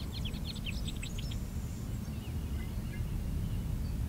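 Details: Bobolink in spring grassland: a quick burst of bubbling, tinkling notes jumping up and down in pitch during the first second and a half, then sparse faint chirps, under heavy steady low wind rumble.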